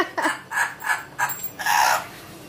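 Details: Amazon parrot producing a string of five or six clipped, speech-like syllables at roughly half-second intervals, ending in a longer drawn-out raspy vowel, indoors.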